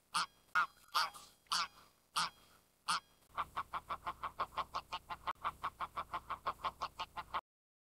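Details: Greylag goose giving several loud, harsh, nasal honks, spaced irregularly. These are followed by a fast run of shorter, clipped honks repeated about five times a second that ends abruptly.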